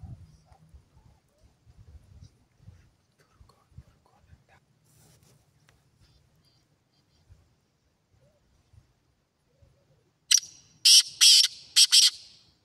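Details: Black francolin calling: after about ten seconds of near silence with faint low rumbling, one loud phrase of harsh, grating, rasping notes delivered in a quick stuttering rhythm.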